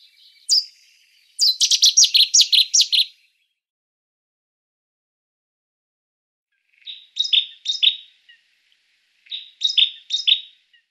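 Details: Cetti's warbler giving loud, abrupt song bursts: a single sharp note, then a rapid rattling run of about eight emphatic notes, followed after a pause by two shorter bursts of quick, ringing notes several seconds apart, otherwise silent.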